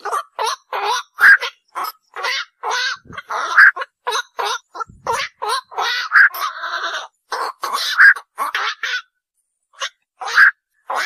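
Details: Black-crowned night heron group calling steadily, many rough, croaking notes in quick, irregular succession over eleven seconds, briefly pausing near the end.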